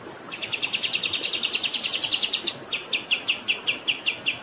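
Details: Rolling 'ngerol' song from a kapas tembak (black-winged flycatcher-shrike) used as a tutor recording, water flowing in the background: a dense run of sharp chirps, then slower, evenly spaced single chirps.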